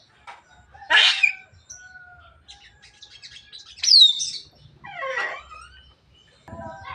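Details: Javan myna, described as talking to the point of coughing, gives scattered harsh squawks, a thin upward whistle and rough chattering bursts separated by short pauses, with faint low rumbling beneath.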